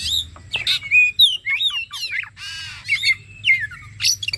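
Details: ['Bait song of an Oriental magpie-robin to prompt singing: dense, varied downslurred whistles and twisting notes with a harsh buzzy rasp in the middle.']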